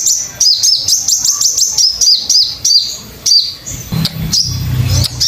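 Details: Crimson sunbird song used as a master recording for training captive songbirds: rapid, high, thin chirping notes repeated about one to two per second, each with a quick rising-falling twist, over faint low rumbling.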